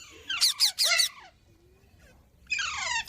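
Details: Indian green parrot lets out three rapid shrill, grating screeches in a tight cluster, then silence, followed by one more harsh, buzzy squawk at the close.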